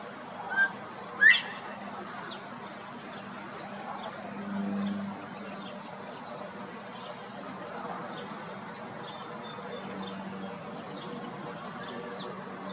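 A Northern Bobwhite gives a loud two-part whistle near the start, a short note then a sharply rising one. Faint chirps from other birds and a low hum continue.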